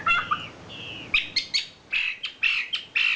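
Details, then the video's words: Champion wambi bird singing: a few drawn-out whistled notes followed by a choppy string of loud, clipped chirps and warbled notes, irregularly spaced, with a faint hiss behind. "SUARA KICAU ISIAN BURUNG WAMBI JUARA"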